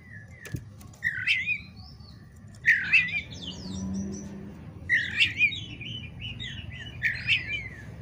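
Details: Oriental magpie-robin song aimed at provoking a fight: a few loud, rich, warbled phrases, each a cluster of quick slurred notes with a harsh edge, separated by short pauses; a click early on.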